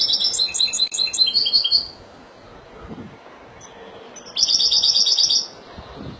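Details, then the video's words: Rapid stuttering twitters from a Spanish European goldfinch (Málaga) run about two seconds into a smoother buzzy trill; after a quiet spell, a second sustained, bright, fast-pulsed phrase follows. "لعشاق تغريد الحسون الاسباني ( مالاقا)"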